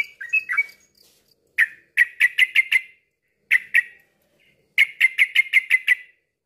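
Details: Yellow-vented bulbul singing, used to prompt birds that have stopped singing to join in. A brief warbled phrase, then bursts of five or six sharp, rapid chirps repeated after short gaps.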